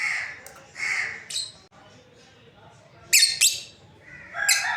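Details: Breeding pair of lovebirds giving short harsh chirps and squawky notes in bursts, with quiet gaps between calls and a bright rasping note near the end.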